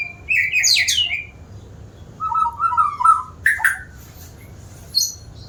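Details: White-rumped shama, said to sing often, opens with a fluttering rising phrase, then a steady run of lower warbled whistles and a sharp abrupt burst, ending with a high thin note.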